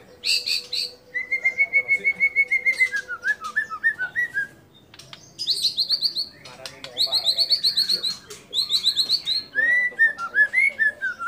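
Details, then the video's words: Singing white-rumped shama mixing in mimicked calls of other birds like cililin, lovebird and canary: steady pulsed whistled trills, some level, some stepping downward, alternating with higher buzzy chattering bursts and short pauses. "Murai Batu Gacor Isian Kapas Tembak Sambung Cililin Lovebird Kenari Dll"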